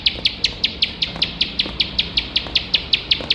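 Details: Bar-winged prinia, a field ciblek recorded to train competition birds, sings nonstop: sharp high clicking chips repeated about three times a second in an even, tireless series over faint background noise.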